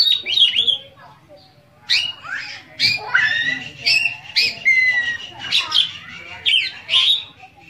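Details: Oriental magpie-robin singing a full song packed with varied fill phrases, used to get other magpie-robins singing: bright whistled notes, slurs and harsh chatters in bursts every second or so, with short pauses between phrases.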